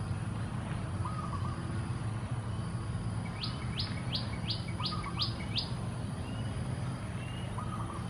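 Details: Golden-backed weavers, a flock nest building in early morning in trees in a pond in Singapore, calling raucously: a quick run of about seven thin, rising whistled notes, three per second; low hooting from another bird over a steady low rumble.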